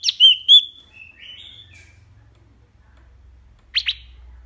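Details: Wambi song in the sharp burst style known as tembakan, used as a tutor recording for caged songbirds: high whistled notes gliding and wavering, a soft trailing twitter, then a quick double chip after a pause.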